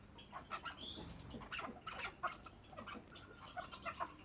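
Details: Chukar partridge kept as a pet, giving a string of short, rough clucks and chucks, uneven in spacing and some overlapping, with a thin high whistle early on and a low background hum.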